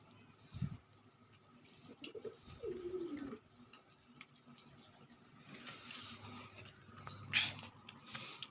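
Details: Pigeon, kept among chicks prone to pox in February and March, giving soft low coos with a rising then falling throaty phrase near the middle, over faint room hum and scattered clicks and rustles.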